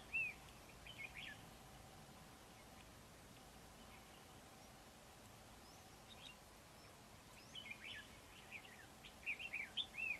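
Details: A red-whiskered bulbul (Pycnonotus jocosus) sings brief, bright chirped phrases at the start and again in a cluster near the end, over a steady outdoor hiss.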